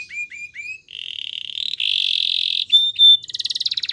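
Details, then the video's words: Belgian canary singing to train canaries: three short rising chirps, then long buzzy rolls, two brief pure whistles and a final rapid pulsing rattle. "Canary songs for training | Belgian canary singing"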